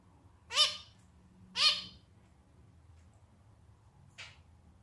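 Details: Pet male zebra finch giving two loud, nasal, trumpet-like calls about a second apart, followed by a softer, shorter note. Quiet pauses between them.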